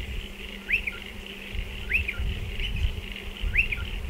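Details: Striated pardalote calling at nesting burrows dug into a dry stone wall: four short upslurred notes, each with a quick downward tail, spaced about every 1.4 seconds over low rumbling background noise.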